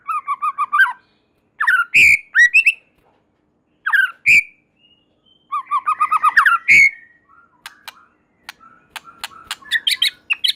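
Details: White-rumped shama in energetic song, said to make other shamas join in: bursts of rapid chattering trills and slurred whistles separated by short pauses, ending in a series of dry clicks and scattered high notes.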